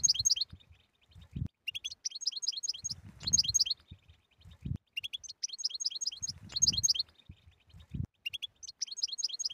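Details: European goldfinch singing bitbita and tistisa style song, offered for silent goldfinches: bursts of rapid high twittering chirps repeating every three seconds or so, with soft low thumps and knocks between phrases.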